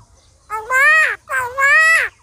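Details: Common myna speaking like a human: two loud, drawn-out voice-like syllables, each with a rich harmonic tone that rises slightly then falls at the end, separated by a short gap, in a quiet room.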